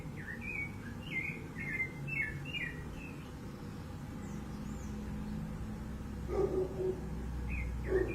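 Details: Rufous-bellied thrush singing free in the wild on 15 November 2020: a quick run of whistled, slurred notes over the first two and a half seconds, then quieter, with a steady low rumble of background noise and a couple of soft low sounds near the end.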